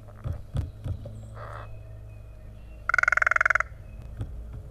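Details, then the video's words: Wild crow in a yard in Kalamazoo, Michigan, in spring, very vocal while calling back and forth with a second crow: a harsh buzzy burst, then a rapid pulsed rattle lasting under a second, over low rumbling background noise. "This Crow has a lot to say!"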